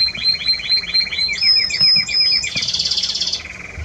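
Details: Spanish Timbrado canary singing, recorded 30 May 2017: rolling series of rapid, repeated metallic notes, shifting into clear high whistled tones and then a fast, bright, bell-like trill, delivered continuously without pause.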